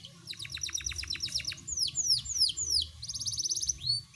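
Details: Panda-type domestic canary singing a high, rapid song: quick ticking note series, then sweeping descending whistles, ending in a fast buzzy trill, over a low background rumble.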